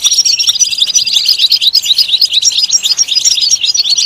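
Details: European goldfinch song: a rapid, unbroken twitter of bright, tinkling, high notes, dense and steady for four seconds with no other sounds.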